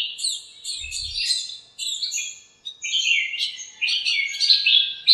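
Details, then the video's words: Birds fighting and chirping in a lemon tree in a home backyard one sunny morning. Bursts of high, slurred chirps come in clusters, with a brief low thump near the start. "chirps at morning | backyard bird sounds"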